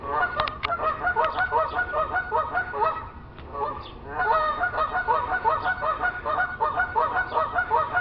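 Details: Several geese walking along a neighbour's roof, hidden by a tree; a dense, continuous run of rapid nasal honks, briefly dropping near the third second before resuming, overlapping calls from more than one bird.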